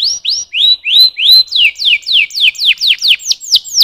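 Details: Canary singing a loud, clear tour of about fourteen sharply downslurred whistled notes, roughly four per second, each sweeping down from high to lower pitch, with no other sounds.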